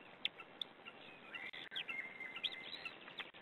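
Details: White-tailed eagle nest, recorded by camera on 2 May during feeding, when an adult gives the chicks leftover fish: thin, high whistled calls, some short and some drawn out and sliding, scattered through a steady hiss.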